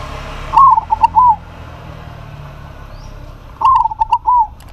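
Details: Two melodic cooing phrases from a local zebra dove calling a rival that replies, each a string of four or five fluted, slightly dropping notes, spaced about three seconds apart over low hum.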